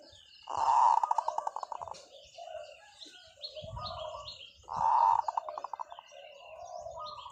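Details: Zebra dove used as a decoy, repeating its long song twice about four seconds apart, each a strong purring coo breaking into a rattling run of short pulses, with softer chirping birds in between.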